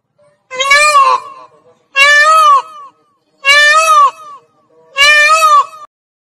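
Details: Four loud, wailing, nasal cries from an Indian peafowl (Pavo cristatus) in a garden, each under a second long and repeated about every second and a half; nothing else is heard.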